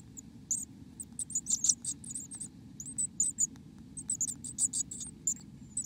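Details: Black-capped chickadee nest interior in America: soft, very high squeaky chips in irregular clusters, some faint, others sharper, above a steady low rumbling hum.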